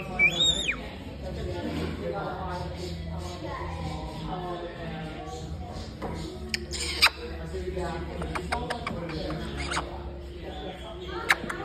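An African grey parrot chatters in speech-like phrases, opening with a quick falling whistle and dotted with sharp clicks and squeaks over a low steady hum.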